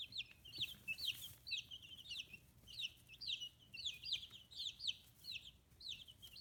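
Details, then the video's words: Young chicks aged 15 days, starting to feather, on a free-range poultry farm in Hiroshima Prefecture, Japan, give clear high descending peeps, a regular stream of pairs and triplets from several birds. "Chicks Chirping Sounds"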